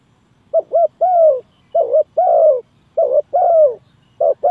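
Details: Spotted dove call used to lure doves into a trap: three phrases of a quick double-humped coo and a long, slightly descending croo, about a second apart, with a fourth beginning at the end.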